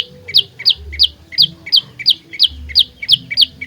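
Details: Rapid, evenly spaced downslurred chip notes, roughly three per second, from an olive-backed tailorbird played as a trapping lure and fighting song; faint low rumble behind.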